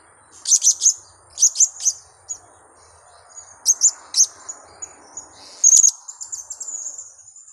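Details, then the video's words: Lure call of a blue-crowned hanging parrot, used to attract birds for trapping: clusters of two or three sharp, very high squeaky notes, repeated about every second, then a longer shrill trill toward the end. "Pelapis pikat #serindit"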